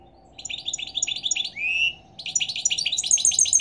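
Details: European goldfinch in morning song, giving quick repeated twittering notes, a drawn-out rising nasal note in the middle, then more rapid tinkling chirps.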